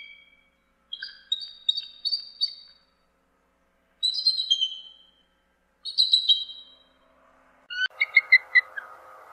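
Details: Bald eagle uttering short bursts of high, thin twittering notes roughly every two seconds, ending with a quick string of sharp pips over faint background hiss.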